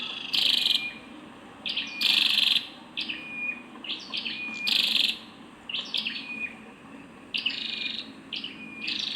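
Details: Female Scarlet-backed flowerpecker calling: sharp, high ticking notes repeated rapidly, interspersed with brief bright buzzy bursts, against a quiet background.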